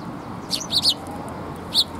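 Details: Sparrows coming to be fed at a Tenmangu shrine on 8 October 2021: a few short, bright chirps, two close together and one a second later, over a low steady background hum.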